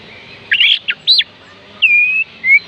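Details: Oriental magpie-robin song, meant to get lazy birds singing: a few quick looping notes, then two long, smooth whistles, the first slurring downward.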